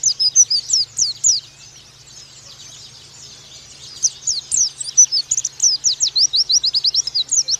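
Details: An oriental white-eye sings a fast, high, thin twitter of quick up-and-down chirps in two bursts split by a short pause, over a faint low electrical hum; the recording is used as a master song to train young white-eyes.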